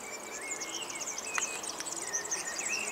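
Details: Rapid, high-pitched, scratchy jingling song of a European serin, accompanied by clear lower whistled phrases from another bird and a couple of sharp clicks.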